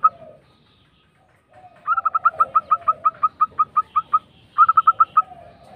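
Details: Local zebra dove singing a rolling lure song: after a low hum, a fast run of short clipped coo notes, about fourteen evenly spaced, then a brief pause and a quicker burst of five more.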